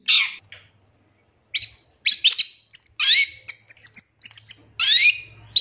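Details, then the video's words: Master-recording song of a long-tailed shrike for teaching caged birds: separate bright whistles and sharp upslurred notes, some held flat, others sweeping, delivered in short spaced phrases after an opening burst. "Masteran Cendet Full Isian Nembak Mewah"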